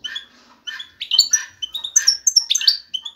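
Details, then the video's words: European goldfinch male calling a female for mating; scratchy, nasal chatter and twittering notes delivered in quick succession, mixed with sharp high squeaks. "ذكر الحسون جاهز, يبحث على الانثى للتزاوج"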